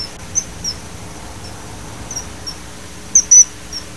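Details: Common kingfisher (Alcedo atthis) giving sparse, very high, sharp whistled notes, mostly faint and scattered, then two louder piercing whistles near the end. Constant low hiss in the background.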